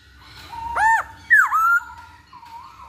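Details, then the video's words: Masked laughingthrush lure recording meant to get birds singing quickly: two loud arched whistles, then a sharp downslurred whistle sliding into a level note, with a softer wavering whistle at the end over faint background hum. "Pancingan Poksay Hongkong Agar Cepet Bunyi"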